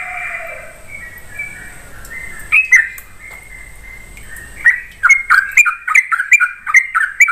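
A Sooty-headed Bulbul gives bright, chirpy notes, first scattered, then a quick run of sharp, slurred chips, about three a second, over a faint background hiss.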